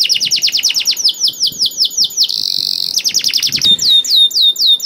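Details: Lively canary song aimed at coaxing other canaries to sing: a run of downward-sweeping whistles, a short steady buzzy note, then renewed rapid whistled syllables and fine high trills.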